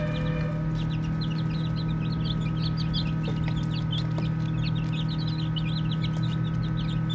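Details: Many baby chicks peeping as they play, their brief high chirps crowding together almost nonstop, set against a constant low hum.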